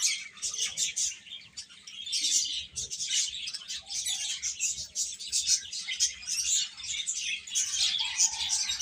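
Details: A flock of chicks keeps up a long stretch of rapid, overlapping high peeps, steady in loudness, with a brief lower note near the end.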